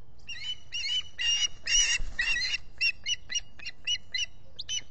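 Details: Osprey at a nest-camera site by Salt Point in the Finger Lakes, US, on the morning of 23 July 2021 as a visitor comes to the nest: about a dozen harsh, squealing notes in quick succession, swelling loudest midway then trailing into shorter, thinner chips.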